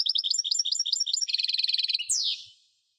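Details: European goldfinch singing a quick series of paired tinkling notes, then a faster even trill, closed by a harsh, buzzy downward slur.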